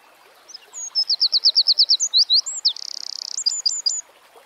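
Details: Troglodytes troglodytes singing outdoors: one energetic strophe of some twelve sharp, high notes at a steady fast pace, a rapid rattle in the middle, then four short closing chirps.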